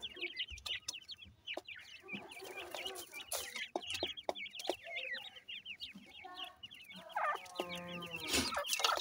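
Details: Francolin chicks feeding, their tiny high peeps overlapping almost without pause, with scattered clicks, bursts of hiss and a low rumble beneath.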